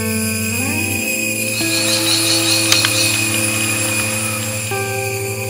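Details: Steady sustained music tones with gliding pitch shifts and a brief click, with no animal calls.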